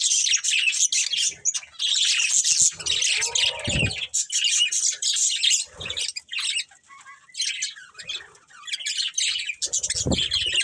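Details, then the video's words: Pet budgies, a breeding pair, chattering in rapid high chirps, about four notes a second, broken by brief pauses and a few low thuds. "Cute Budgies Chirping Sounds | Love Birds Breeding Pair"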